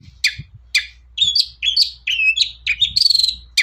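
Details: Short long-tailed shrike passage used as a lure song: sharp scratchy chips followed by warbled whistled phrases and a quick buzzy trill, over a soft low background hum.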